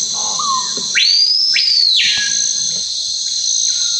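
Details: One full Amazonian screaming piha phrase: a quiet lower whistle, then an explosive upslurred whistle climbing high and a second soaring note cut off sharply, followed by fainter low notes. Continuous buzzing insects fill the background.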